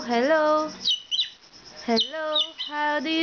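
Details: Talkative pet Moluccan cockatoo mimicking human speech: three short voiced phrases with a harmonic, slightly rising tone, broken up by brief high squeaky chirps and near-silent gaps.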